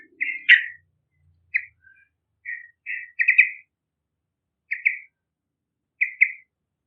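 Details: Yellow-vented bulbul singing strongly, suitable as a lure for young birds: short gurgling phrases, often doubled notes, given every second or so with quiet gaps between.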